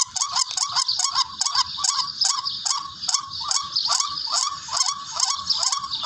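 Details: Barred rail call used to lure birds for hunting: loud, rasping notes that bend upward, given in quick succession about every half second, with a harsh, crackling edge throughout.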